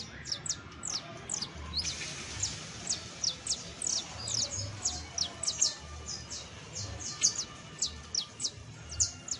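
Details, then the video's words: Song of a saffron finch, meant to help a criollo canary learn: rapid high-pitched chirps falling steeply, grouped in short clusters with brief gaps, over a quiet background. "EL CANTO DE ESTA AVE VA A SERVIR PARA AYUDAR A TU CANARIO BASTO CRIOLLO [Sicalis Flaveola]"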